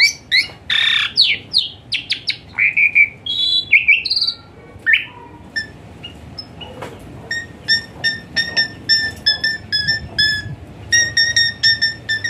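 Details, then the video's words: Asian pied starling in full fill-in singing with 'hot shots' phrases, meant to coax a lazy starling into song; opening tumble of harsh, sweeping whistles and rasps, then a long run of quick sharp chip notes repeated in steady clusters. "Full Isian Mewah TEMBAKAN PANAS Khas Jalak Suren UNTUK TERAPI Jalak Suren Malas Bunyi Jadi Rajin"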